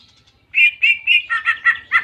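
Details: Greater green leafbird in canary-style song. After a quiet start, three clear level whistles are followed by four quicker, two-toned notes at an even pace.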